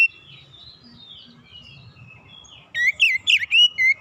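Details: Relaxed lure song of an Oriental magpie-robin, meant to prompt young birds to sing: soft thin warbling at first, then loud twisting whistles and quick slurred notes in a tight burst near the end.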